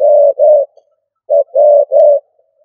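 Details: Decoy spotted dove in 'cà lăm' stuttering coo: two long, hollow, even-pitched coos, a brief pause, then a clipped note leading into two more sustained coos.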